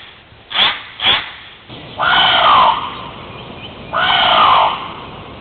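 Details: Hawaiian crow: two quick sharp notes, then two long, loud, hoarse calls, each lasting most of a second and falling slightly at the end, with light background hiss.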